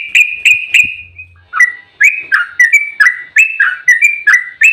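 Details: Yellow-vented bulbul in an agitated fighting song, used as a lure to make other bulbuls sing: about a dozen separate slurred, whistled notes, each bending up or down, with one soft low thud early on.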